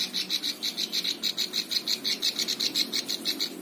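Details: Plain prinia singing, a recording for teaching other birds: a clean, steady train of high, buzzy chirps, about four each second, evenly repeated throughout, over a faint low hum.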